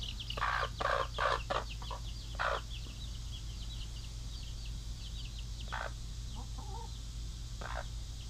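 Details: Mother hens kept in the pen tending their baby chicks: a series of short, low clucks in quick bursts, with high thin chick peeps sliding downward, over a steady low hum.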